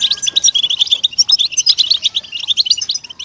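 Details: European goldfinch singing, a recording meant to encourage captive goldfinches to sing: lively rapid twitters and buzzy chirps packed tightly together, high-pitched, with a faint low background murmur.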